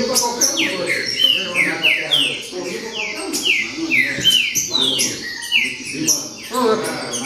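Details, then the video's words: Green-winged saltator delivering baderna song, a steady string of bright, steeply falling whistled notes repeated every half second or so, with crisp clicks and a soft low hum behind. "Baderna De Trinca Ferro Show!!!"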